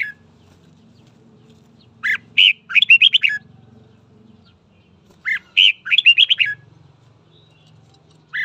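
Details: Red-whiskered bulbul in morning song for voice training and stirring up fights: two near-identical phrases, each a sharp upward note followed by a rapid run of five or six bright warbled notes, about three seconds apart, over quiet hum.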